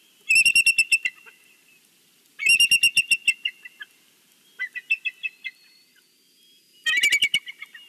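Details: Bald eagle at its nest in Big Bear giving a Sunday greeting call over the valley: three bursts of rapid, high, staccato piping notes about two seconds apart, with a softer run of pulses between them.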